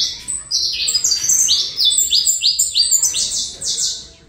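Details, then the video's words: High, ringing chirps from a saffron finch of the Colombian line, given in quick succession about three per second, slightly rising and falling in pitch across the phrase. "Canto canário da Terra Colômbia cot"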